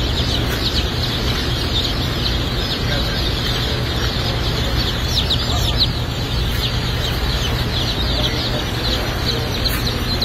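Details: Blue Laced Red Wyandotte baby chicks, many together at a hatchery, give a continuous crowd of thin, high, overlapping peeps with no pauses, under a steady loud low machine hum.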